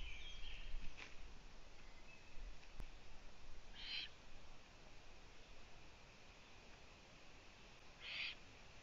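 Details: Owlets in a nest, unattended by the female for two days, with two of them out on a balcony, on a June 2017 afternoon: two short, harsh, hissing bursts about four seconds apart over a faint steady background hum.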